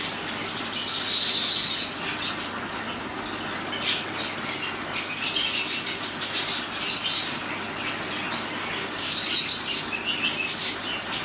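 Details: A pair of black-headed siskins drinking, giving high, thin twittering chirps in quick bursts every few seconds, over a steady hiss of background noise.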